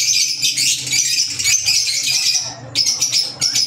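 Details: Green Fischer's lovebirds, pet African lovebirds, keep up a continuous squeaky high chatter that pauses briefly, then resumes in short shrill bursts.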